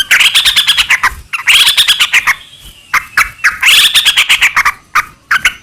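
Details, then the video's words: Frequent-singing yellow-vented bulbul, played to prompt other bulbuls to answer: three arching phrases of fast, bubbly chattered notes, each rising then falling, with loose chirps in the gaps. "trucukan gacor ROPEL PANJANG buat pancingan trucukan agar bunyi"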